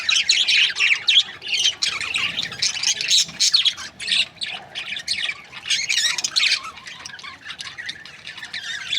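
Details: Budgerigar breeding pairs chirp in quick bursts of high, squeaky chatter separated by brief lulls, several birds calling over each other.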